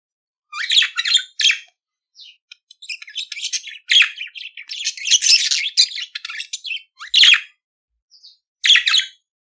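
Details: Pet budgerigar singing: scratchy chirps and buzzy chatter in irregular bursts separated by short silences, high-pitched and harsh, with a longer run of chatter midway and no other sounds.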